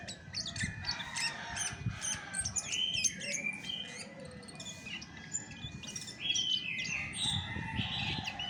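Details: Natural chestnut-backed thrush song, no tutor recording: a busy stream of thin, high chirps and twittering notes with short rising whistles, over a steady low background rumble.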